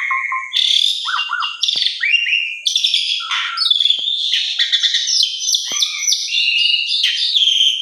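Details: Asian pied starling singing a long, busy song of bright whistles, quick chattering notes and squeaky slurs with no pauses, mostly high-pitched; played as a lure to get other pied starlings singing.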